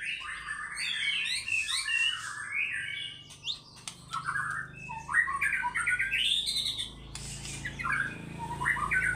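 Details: Fighter-style white-rumped shama unloading its full repertoire, with a fast stream of rich whistles, rising slurs and harsh squawks, about four phrases a second, broken by brief pauses, against a faint background hum.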